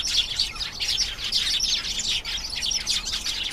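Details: Singing canary giving fast, rolling trills mixed with sharp whistled notes, packed tightly with almost no gaps.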